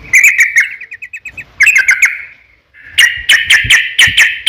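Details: Lure recording of an energetic Yellow-vented Bulbul in long 'ropel' song, meant to set other birds answering: a bubbly chatter fading into a rapid rattle, a second phrase after a pause, then a dense run of sharp notes.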